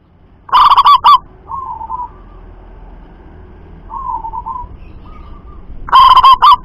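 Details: Loud local zebra dove coo phrase of rapid stuttering notes, followed by several softer wavering coos, then another loud rolling phrase.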